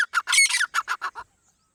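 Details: Partridge call for hunting: a brief sequence of harsh, squawking notes, quickly repeated and falling away, then silence.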